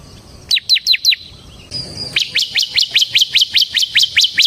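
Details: Bar-winged prinia (ciblek) song meant as a lure and tutor for other ciblek birds: four sharp descending chips, a brief thin whistle, then a long even run of loud repeated notes about three per second.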